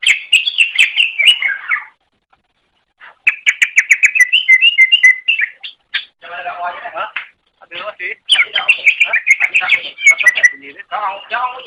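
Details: Cucak ijo, the greater green leafbird, singing on a master recording for training songbirds: rapid bright warbled chatter alternating with harsh, buzzy, rattling phrases, delivered in long bursts with short pauses between.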